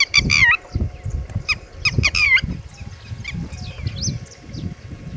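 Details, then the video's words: Red-wattled lapwing, with chicks nearby, giving loud harsh repeated notes in quick bursts of three or four, then quieter scattered calls; steady wind or handling rumble underneath. "Red Wattled Bird Singing And Red Wattled Chicks (ٹٹیری )"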